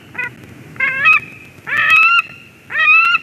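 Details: White-tailed eagle at its nest in Durbe, Latvia, 13 August 2023, as a ringed stranger eagle arrives; three short, harsh, buzzy call notes with a raspy, nasal quality, spaced under a second apart, over low background hiss.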